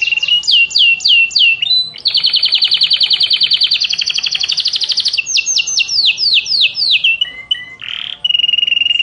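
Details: Canary song, from various canary types: a string of falling whistles, a long bright buzzing roll, more descending sweeps, and short choppy notes before a final steady trill.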